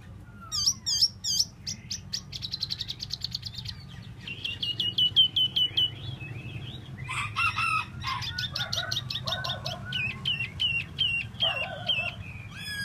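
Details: Solo-singing tieu mi bird pours out a long, varied song of rapid ticking trills, sweet slurred whistles and harsh chattering bursts that shift abruptly, with a faint steady low hum behind.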